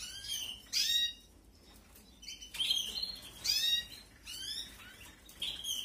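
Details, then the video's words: Nestling canaries begging during feeding at a 2021 aviary breeding: loud, raspy, high squeaky bursts in uneven bouts roughly every second, with brief pauses between them. "QUE BONITA ES LA CRIA, CEBANDO 🐣🐣🐣. CRIA DE CANARIOS 2021."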